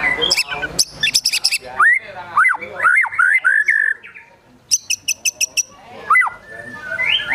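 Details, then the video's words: Excited White-rumped shama song mixing high clicking bursts, deep swooping whistles and a rapid series of sharp ticks, with borrowed calls of birds like sogon and kunti. "Murai Batu Gacor Emosi Isian Besetan Tembakan Sogon, Kunti Dll."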